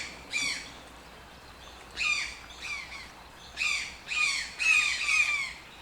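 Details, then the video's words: Toucan giving spaced bursts of harsh, downslurred squawks, each a short clustered series of nasal notes, with quiet gaps between bursts. "TOUCAN SOUNDS - Toucan Sound Effect"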